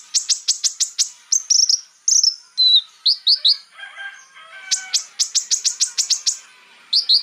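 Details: Konin bird singing to provoke rivals: rapid high chip series, then short whistled and warbling phrases, a brief lower buzzy passage, and another quick chip run.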